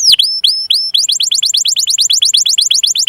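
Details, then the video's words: Canary singing to encourage young and non-singing canaries: three drawn-out swooping whistles, then a fast even trill of short downward-curving notes repeated about seven times a second. "burung kenari pancingan paud dan yg macet"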